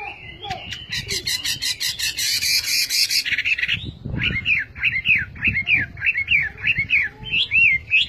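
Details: Song of the Chinese hwamei: harsh buzzy notes at first, then a clear series of repeated up-and-down whistled notes delivered in a steady rhythm, about two per second.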